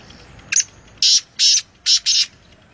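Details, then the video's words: Black francolin (black partridge, kala teetar) in Nawabshah, interior Sindh, Pakistan, gives a harsh, grating call: a brief lead-in note, then four loud rasping bursts in two quick pairs. "Kala Teeter | High Pitched Chirping Sound Voice | Francolin | Black Partridge"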